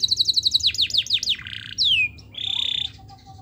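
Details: Canary singing to prompt lazy, silent canaries to sing: fast falling chirps in series, a sweeping downward whistle, then a dense buzzy trill and a soft low whistle at the end.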